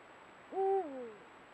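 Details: Camera-trap recording of a Eurasian eagle-owl pair at golden sunset: one loud call that rises quickly, holds steady, then slurs smoothly downward for about half a second.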